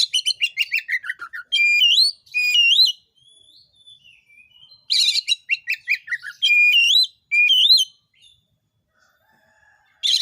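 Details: Oriental magpie-robin song played to goad other magpie-robins into singing: rapid descending chips, sweet upslurred whistles and harsh buzzy bursts alternating in phrases, with brief quiet gaps between.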